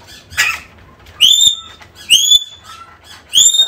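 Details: African grey parrot calling for a lost companion: a harsh scratchy burst, then three bright rising whistles close together, with a faint lower note between them.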